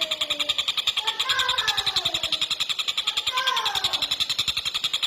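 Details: Javan kingfisher singing vigorously in a fast, tight delivery, used as tutor audio for competition birds. A rapid chattering rattle of high notes runs throughout, with faint sliding, mewing tones underneath.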